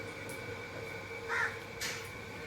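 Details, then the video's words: An Indian ringneck parrot, in a happy mood while eating food, gives two brief, harsh, caw-like squawks about half a second apart over a steady electrical hum. "Parrot eating food and making sound"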